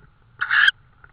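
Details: Estonian tawny owl on a May 2013 evening, near prey deliveries: a single rasping, hissy screech of about a quarter second, loud and wide-ranging, with a faint constant hum behind it.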